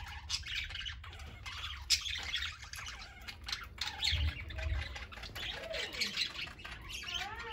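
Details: Parakeets of several ages playing, eating and resting together; busy scratchy chatter with short rising and falling whistled notes toward the end, over low background rumble.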